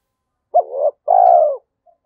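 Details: Spotted dove singing in the 'thổ' voice style, 'Thúc Đấu' type, a voice said to suit the forest when setting traps: one phrase of a short hooked note, a wavering middle note, then a long, steady, slightly falling coo. Quiet background.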